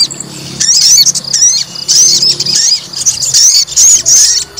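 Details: Fighter white-rumped shama being provoked into agitation: dense, rapid, squeaky high-pitched phrases with quick slurred notes, nearly continuous with short gaps and a faint low background hum.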